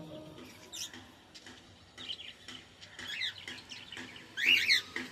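Several cockatiels chirp and chatter in quick, high, scratchy bursts.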